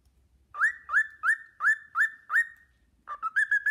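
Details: Pet cockatiel whistling the Sportpalast Waltz, six evenly spaced rising whistles about every third of a second, then a brief gap and a quick bubbling trill; a faint low hum sits underneath at the start.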